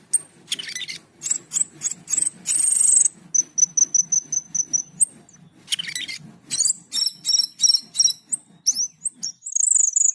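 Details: Vigorous Asian pied starling song of high, thin, sustained whistles, grating buzzes and clipped chattering notes in irregular bursts over a faint low drone.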